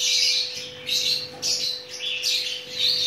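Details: Chattering lory while mating: rasping squawks come in about five short bursts with brief pauses between them, over a constant low hum.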